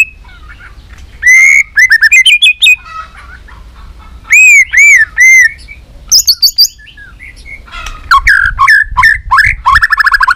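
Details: Three-season white-rumped shama singing its fighting song: clear arching whistled notes in groups of three, high ringing chips, and a closing stretch of fast trilled and rattling phrases.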